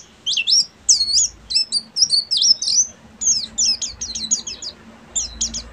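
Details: Buxtomi Oriental white-eye singing full ngeriwik: loud, high, scratchy twittering bursts with looping slurred notes, delivered in short clustered phrases about half a second apart.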